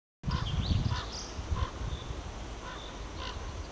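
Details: Ravens chatting on a powerline tower: a few short, hoarse, harmonic calls spaced through the first seconds, fairly faint over strong low rumbling wind noise.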